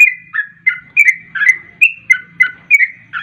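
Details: Rapid 'garuda ropel' lure song of a sooty-headed bulbul: a steady run of clear, slurred whistled chirps, each dipping then jumping higher, packed closely together with a soft hum underneath.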